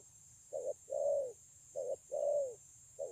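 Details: Wild-caught spotted dove at Kon Long, 9 June 2020, with a praised voice, giving two low mellow phrases: a brief coo then a longer falling coo, the pattern starting again at the end, over faint hiss.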